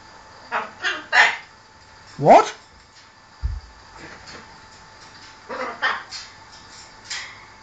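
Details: Pet macaw at home arguing with its owner: bursts of harsh, raspy squawks, one rising grating call, a dull thump, then further rough calls mixed with the owner's voice and a steady indoor hum.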